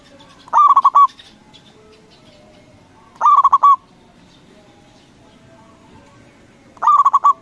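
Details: Local zebra dove cooing to prompt a reply from other doves: three phrases of fast, bubbling, stuttered coos, each ending in a drawn-out trill, spaced about three seconds apart, with faint distant chirps and low hum behind.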